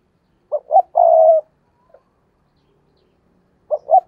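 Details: Spotted dove kept as a decoy to lure wild doves gives a full three-part coo, two brief notes and a long mellow one, then after a pause starts another phrase.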